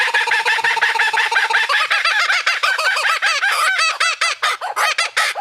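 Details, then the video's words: Kookaburra laughing call beginning as a low chuckling rattle, then rising into looping, hooting 'koo-koo-ka' cackles that grow louder and more spaced toward the end. "Laughing Bird - Kookaburra"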